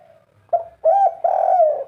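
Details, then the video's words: Spotted dove delivering its 'kuk 3' song in full voice: a short soft note followed by two loud, throaty coos, the last drawn out and slightly falling at its end. "suara burung derkuku kuk 3 full gacor"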